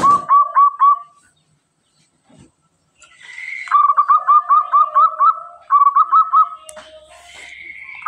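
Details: An actively singing local zebra dove with a clear voice: a brief set of four ringing coos, a silence, then long runs of rapid, evenly repeated coo notes in two phrases.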